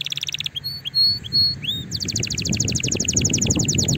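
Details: Canary in full song, meant to stimulate other canaries to sing: a rapid buzzy opening burst, a few separate rising whistled slurs, then a fast run of repeated high descending notes, with low background rumble.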